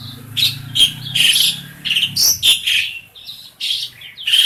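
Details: Tame caged black-collared starling, a noisy pet, used as a model for training other birds: harsh, buzzy chattering notes in quick irregular bursts, with some raspy squeaks and a low hum underneath.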